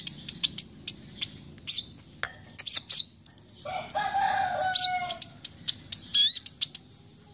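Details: Red-breasted sunbird singing in full vigour: rapid, very high, sharp chips and tinkling notes, a brief buzzy trill and a few lower warbled phrases, in near-continuous bursts.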